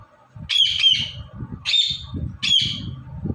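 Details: Three loud, shrill, buzzy screeches from an Indian ringneck parrot shown talking and dancing, the first doubled, each under half a second, against low background rumble.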